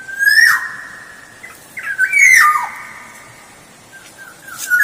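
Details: Black-naped oriole song played as a lure, with liquid whistled notes that rise then fall in slurred steps, punctuated by harsh rasping bursts, in two main phrases with a softer tail.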